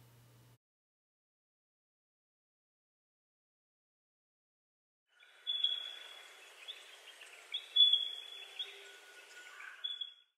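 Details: A Spotted Pardalote (Pardalotus punctatus) gives clear, high whistled notes after about five seconds of quiet, with softer chirps running underneath.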